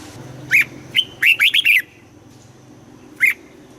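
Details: Morning training song of a red-whiskered bulbul in double-note wild style: a lone sharp chirp, then a tight burst of four or five slurred whistles, and one more isolated chirp after a pause, over a low steady hum.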